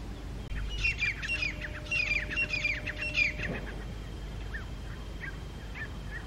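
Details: Two wild groups of grey francolin clash at dawn in October 2022, challenging over territory from a rocky height: a loud run of quick rasping rising notes repeated in rhythmic bursts, fading into a few distant softer calls.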